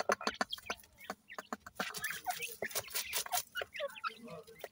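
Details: Several newly hatched grey francolin chicks (Dakhni teetar) piping loudly: quick high cheeps, some in short bent chirrups, crowded together over bursts of scratching and knocking noise.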